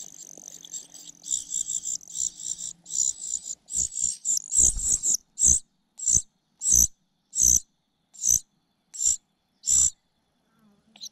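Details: Parasitic cuckoo chick begging from its foster mother, repeatedly failing to get food and pecking at her. High, hissing, wheezy calls run together in rapid bursts, then become separate loud notes spaced under a second apart, with low thumps.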